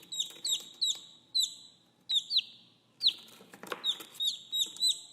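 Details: Chicks peeping for their mother, giving clear, high, falling cheeps, spaced singly or in pairs, with a brief rustling scuffle midway before the peeps quicken again.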